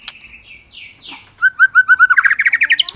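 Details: Indonesian murai batu (white-rumped shama) song: soft downward-sliding whistles, then a run of evenly spaced, clear mid-pitched notes that rises into a faster, brighter sequence of rapid notes.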